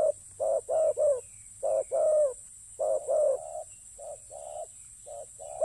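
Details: Spotted dove used for ground decoying coos in quick two-part phrases, then trails into several softer, shorter coos near the end; background quiet apart from a faint hum.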